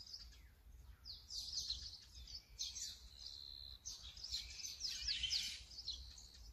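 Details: Brown-eared bulbul recorded with a Sony camera: sharp, shrill squawks repeated at roughly one, two and a half, and four to five and a half seconds, with softer background chirps.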